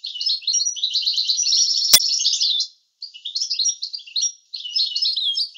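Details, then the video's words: Goldfinch singing an approved 'language' song meant for tutoring other birds: fast twittering leading into a rapid buzzy trill, a sharp click, then three short bursts of chirps separated by silences. "تسجيل صوت حسون لغة معتمدة للتعليم"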